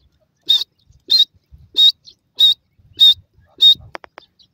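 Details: Grey francolin (jungle teetar) calling in a forest: six loud, high, shrill notes, each a short harmonic burst, repeated steadily about every 0.6 seconds, then a few faint clicks at the end.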